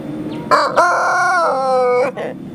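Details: Young Pelung rooster from a breeders' group in Sukabumi regency, crowing while sunning: one long, rich, drawn-out crow of about one and a half seconds, sagging slightly in pitch, with a short tail note.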